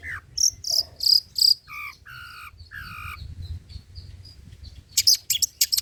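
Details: Old-style singing of a long-tailed shrike (cendet, pentet trotol), used for luring and tutoring birds: loud squeaky high notes, then three harsh nasal calls, a soft ticking run, and a final burst of rasping notes.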